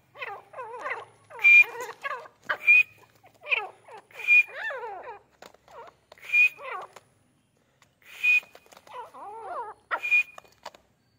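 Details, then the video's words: Grey francolin in training, giving a series of short harmonic notes that rise and fall, grouped in bursts separated by brief pauses, with a sharp high whistled note recurring roughly every two seconds. "Training Of Gray francolin"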